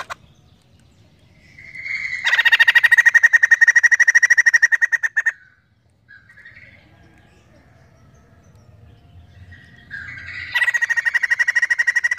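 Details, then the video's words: A White-crested laughingthrush bursts into a loud, harsh, rapidly pulsed cackling chatter for about three seconds, falls quiet with a short note, then starts up again. "Poksay jambul gacor penuh emosi"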